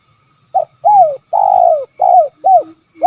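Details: Spotted dove known locally as tekukur giving a call described as kuk 3, a series of six coos, each a short arched note around the same pitch, with one long drawn-out coo in the middle.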